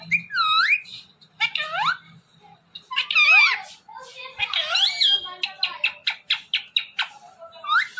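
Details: Ring-necked parrot talking indoors: swooping word-like phrases with rising and falling inflections, then a rapid run of short, even clicks or syllables, ending in a high squeaky note.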